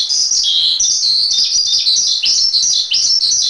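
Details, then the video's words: Javan pied starling singing a master track for training songbirds: shrill, continuous chatter of high whistled notes and quick slurs, with brief dips in loudness between bursts. "Masteran Suara Jalak Suren"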